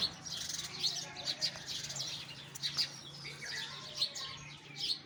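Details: Many sparrows twitter at once, with sharp bright chirps standing out every second or so over continuous chatter and a low background hum.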